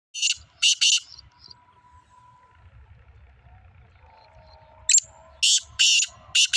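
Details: Black francolin, a two-year-old young bird, in a calling contest; loud harsh buzzy bursts at the start and end, repeated in quick pairs, with a low hum and a faint thin tone between them.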